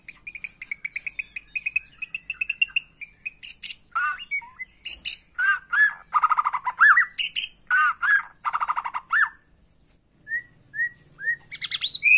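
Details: Lure recording of white-rumped shama song meant to provoke a kept bird into singing hard and unloading its repertoire: a steady run of high whistled notes, then loud varied chattering phrases and swooping whistles, ending in scattered short whistles.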